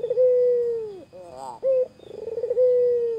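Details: White Barbary dove, its call said to tease a rival: long steady low coos with a wavering, rolling middle section and a short clipped coo, clear and close with little background noise.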